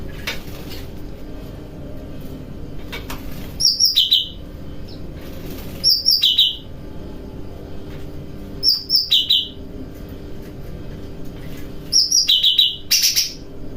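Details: Night-bathing cucak rante bulbul singing cheerfully in kapas tembakan and besetan training styles; a paired phrase, a high chattering trill stepping down to a lower trill, recurs four times about every two and a half seconds over steady background hiss.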